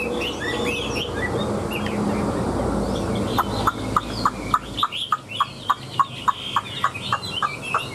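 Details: Tail-fanning, wing-playing caged Chinese hwamei: about three seconds of tumbling warbled whistles, then a long series of sharp, evenly spaced clicking notes, roughly three per second, in a quieter background.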